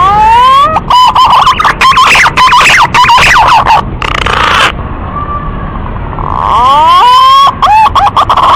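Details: Lure recording of a male green pigeon calling to a female: a rising whistle, then a fast jumble of warbling whistled notes. A quiet hissy pause follows before another rising whistle and more quick warbles.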